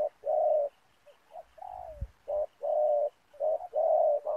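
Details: Spotted dove decoy luring wild doves toward a ground snare net: a few hoarse coos, one ending in a downward slur, then longer flat coos, with a single sharp knock midway.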